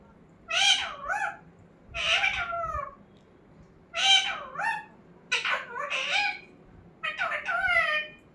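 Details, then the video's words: Pet talking parrot utters five speech-like phrases, each a rich harmonic burst with bending, wavy pitch, spaced about one to two seconds apart in a quiet indoor setting. "Talking parrot Mitthu"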